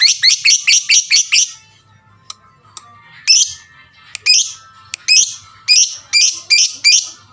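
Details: Lovebird calling as a lure meant to provoke other lovebirds into calling: shrill, high chirps, first a rapid run of seven, then after a pause louder chirps repeated roughly every half second with a few sharp clicks.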